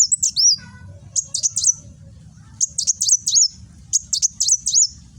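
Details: 'Nembak' singing by a caged kolibri wulung sunbird, Gresik, East Java, phone-recorded: a downslurred whistle, then repeated clusters of three or four piercing high chips ending in a looping note, with faint low rumble.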